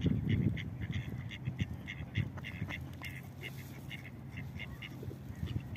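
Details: Mallard pair feeding on a beach while the drake drives off a rival pair; rapid, evenly spaced nasal quacks repeated about three times a second, with wind and low background rumble throughout.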